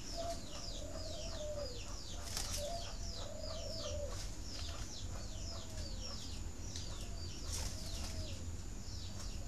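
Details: Spotted dove coo meant to stimulate egg-laying in breeding doves: short low phrases that dip at the end, repeated every couple of seconds, among busy high chirping from other birds and occasional sharp clicks.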